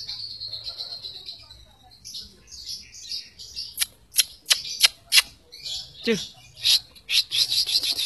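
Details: White-rumped shama singing to provoke other shamas into song: buzzy, scratchy phrases, a series of sharp dry clicks, a quick downward swoop and jumbled bright notes over a low background hum.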